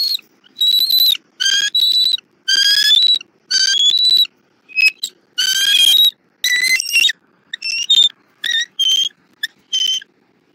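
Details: Bald eagle pair at their nest in Southwest Florida, 3 February 2024, morning, the female feeding the eaglet on a rabbit. Dense run of shrill, harmonic, squealing chirps, about one per second, some with rising and falling pitch.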